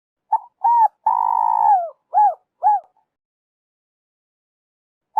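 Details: Spotted dove call played for trappers as a lure: a short soft note, a hooted note, a long drawn falling coo, then two clipped arched coos. Another phrase begins at the end. No other sounds.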